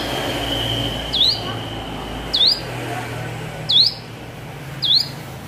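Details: Four crisp, rising chips from a hill prinia learning to sing, each separated by just over a second, over low background hum.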